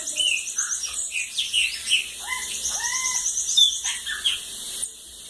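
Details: Bananaquit singing the song style called cachorro loco da lagoa d'água: thin, very high rapid tinkling trills overlap lower whistled slurs and short downward notes, with a steady high hiss behind.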